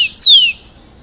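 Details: Rufous-collared sparrow (tico-tico) singing very loudly to stimulate other sparrows to learn to sing: one bright whistled phrase of slurred notes sliding downward, high-pitched and clear against a quiet background.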